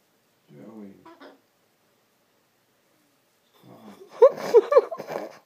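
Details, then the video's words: Pet cockatoo trying to wake up a sleeping man: a low, murmured, speech-like mutter, then after a pause a loud burst of raspy, harsh squawks with rising and falling tones; a wake-up call. "Cockatoo wake up call"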